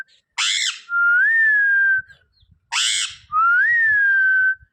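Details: Parrot giving two harsh, broad squawks, each followed at once by a clear whistled note that rises and then slowly falls, the pair repeated about two seconds apart in a quiet setting.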